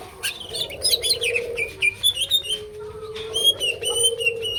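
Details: Greater green leafbird singing actively with a full varied repertoire: bright high whistled notes, slurred upward and downward, mixed with quick sharp chirps in irregular bursts, over a steady low mid-pitched hum.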